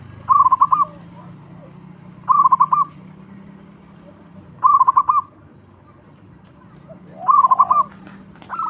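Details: Zebra dove, local bird singing actively and loudly as a lure: four short, rapid, bubbling whistled phrases, each about half a second long, spaced about two and a half seconds apart over a quiet background.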